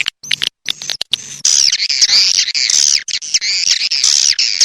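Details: Swiftlet calls prepared as a sound-lure recording: dense, high, rapid chirping and twittering trills, continuous after a choppy start with brief cuts.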